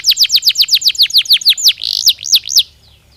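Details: Canary singing to encourage breeding activity: quick repeated downward-sweeping whistles, then a short rushing buzz and several looping rise-and-fall notes before the song stops.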